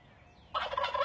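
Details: Turkeys perched up in trees; after a short quiet spell, one bursts into a dense rattling gobble lasting over half a second.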